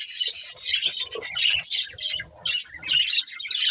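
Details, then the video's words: A budgerigar breeding pair gives steady, busy chatter of rapid squeaks, buzzy notes and short whistles, dipping briefly before resuming, with soft low knocks underneath. "Cute Budgies Chirping Sounds"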